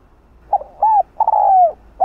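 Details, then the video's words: A decoy spotted dove, known locally as cu gáy, used to lure wild birds, gives a low mellow coo phrase: short notes followed by a long gently falling coo and the start of another, with no other sounds. "cu gáy mồi gáy gọi giọng hay kích bổi ức chế"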